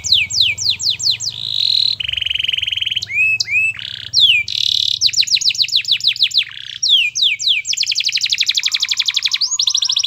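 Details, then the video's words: Canary master song to make other canaries sing: a varied, rich sequence of fast down-slurred notes, buzzy rolls, whistled swoops and long dense trills. "MASTERAN KENARI GACOR Yang Lain Agar Ikut GACOR"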